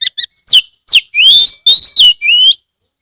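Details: Oriental magpie-robin (kacer) in Kebumen, Central Java, Indonesia, singing to draw other magpie-robins into song: short chips, then long drawn-out rising whistles, loud and clear.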